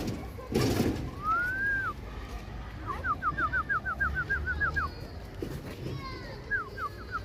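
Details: Chukar partridge, one of the birds kept for hunting and fighting, calling: a drawn-out rising whistle, then a fast run of about ten clipped, even notes, a pause, and another short series, with a loud rustle near the start.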